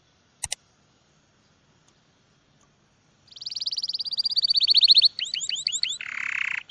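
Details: Small bird bursts into song after a silent start broken by one click: a long, high, rapid trill rising in volume, a few looping slurred notes, then a coarse buzzy ending.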